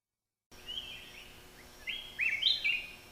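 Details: Black-crested Bulbul from Thailand: after a brief silence, soft whistled notes lead into a louder run of slurred, bubbly warbled phrases near the end, high and clear over faint background hiss.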